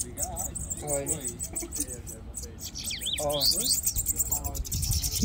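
Several bananaquits give high, thin, buzzy chirps and wheezy trills. A man talking is heard over much of the birdsong.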